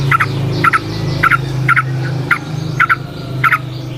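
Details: Trucukan, the yellow-vented bulbul, in the wild with lure song: paired quick chirps repeated about every half second over a steady low hum.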